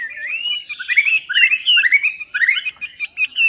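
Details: Melodious laughingthrush, called wambi, in lure song: a long rising whistle opens into quick, looping, warbled phrases of tumbling notes, loud and continuous.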